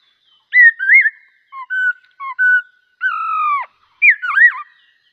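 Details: Whistled bulbul song of scattered short notes, then one long steady double-toned whistle ending in a sharp downward drop, and a final twisting flourish.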